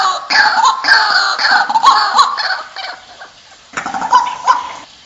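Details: White-breasted waterhen lure recording for drawing birds in, with harsh, nasal croaking calls about three a second and a short pause before another burst of croaks.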